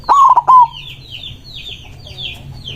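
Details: White zebra dove delivering one loud, rolling, stuttered coo phrase meant to call rivals, then quiet with only background birds chirping.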